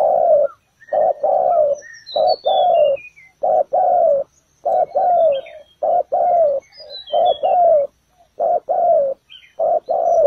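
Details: Spotted dove used to lure birds into a ground trap, delivering a steady run of low, hollow coos in quick pairs, with thin high chirps of small birds above.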